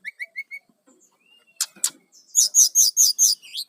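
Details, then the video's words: Brown-chested jungle flycatcher song for attracting wild birds: four evenly spaced short whistles, a thin drawn-out note, two sharp clicks, then six loud buzzy notes in a steady fast series. "GACORNYA BURUNG SIKATAN RIMBA DADA COKLAT//SUARA BUAT PIKAT SRDC LIAR"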